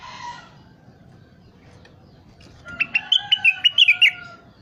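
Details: Crested partridge calling, recorded for bird-training use: after a brief low tone from another source, a rapid run of around ten sharp high chips over one and a half seconds, over a steady lower whistle.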